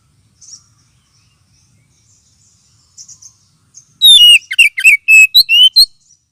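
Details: Kacer, the oriental magpie-robin, in a lure and therapy recording for birds short on fighting spirit: faint high notes, then a loud run of sweet whistles and slurred, descending notes repeated rapidly for two seconds.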